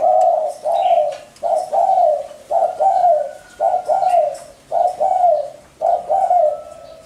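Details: Spotted dove cooing: low, mellow two-part coos, each a short note run into a longer wavering one, repeated roughly every second in a steady series; faint thin chirps from other small birds in the background.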